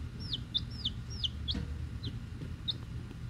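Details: Week-old hatchery chicks, Rhode Island Red and Black Sumatra hens; clear high peeps sliding downward in quick succession early, then sparser chirps, with a soft thump and steady background hum.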